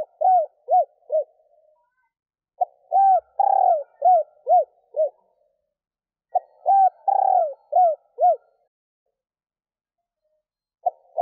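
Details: Female spotted dove calling to excite males, a decoy hen: three repeated coo phrases, each a few soft hoots, a purring drawn coo, then falling notes, with gaps of about two seconds in quiet surroundings.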